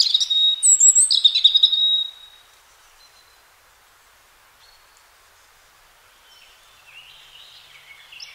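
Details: Free European robin spring song: a two-second phrase of piercing high whistles and fast trills, followed by quiet with faint, distant wisps of song.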